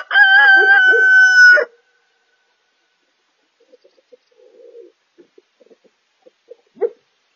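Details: Rooster on a farm in the early morning gives one loud crow lasting about a second and a half, a strongly harmonic, sustained call that drops slightly at the end. Soft scattered clucks and a brief sharp call follow in a quiet setting.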